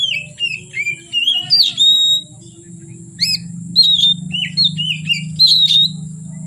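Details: Kacer, an oriental magpie-robin, in full song from afternoon into dark night, a rich run of clear whistles, down-slurs and bright chips, then a burst of varied phrases, with a low background hum throughout.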